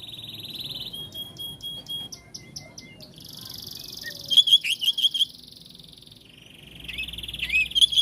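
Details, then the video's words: Oriental magpie-robin mixing long buzzy, rasping trills with clear whistled notes, a burst of sharp repeated notes in the middle and another bright phrase at the end. "Kacer jenis apapun jika dengar suara ini langsung RESPON"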